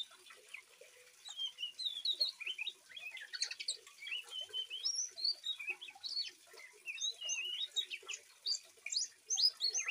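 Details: Young oriental magpie-robin, three months old, singing to prompt lazy magpie-robins to reply, with natural flowing water; rapid, continuous high twittering of short chirps and slurred notes in quick bursts throughout.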